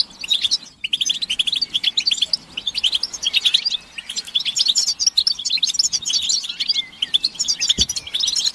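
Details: European goldfinches in group chatter, a recording meant to stimulate males to sing and break their silence: dense, tinkling high twitters and buzzy trills run almost without pause, many notes overlapping, with a brief gap near the start.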